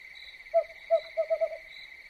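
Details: At night an owl gives five soft, low hoots, two spaced single notes then a quick run of three, while crickets drone steadily and high behind it; owl.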